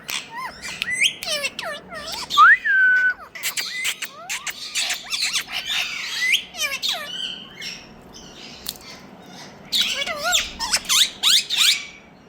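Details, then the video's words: Several talking parrots in India calling over each other: scratchy squawks, a clear rising whistle that levels off, and quick chattering notes that bunch into loud bursts near the end. "Talking Parrots"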